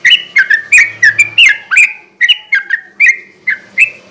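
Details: Sooty-headed bulbul in vigorous garuda ropel style, used at night as a lure for wild or newly caught birds: short bright chirps bending downward, given singly about three times a second in a steady series, with faint low hum behind.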